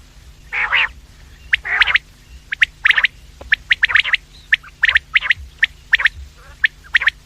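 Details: Quail calls used to lure quails, morning and evening: two harsh, grating bursts open a long run of sharp, clipped high notes repeated at uneven intervals.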